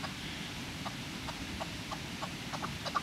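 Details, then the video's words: Chukar recorded on 21 April 2020: a run of short, dry clucking notes, about three each second at uneven spacing, over a steady low rumble of background noise. "CHAKOR AWAZ"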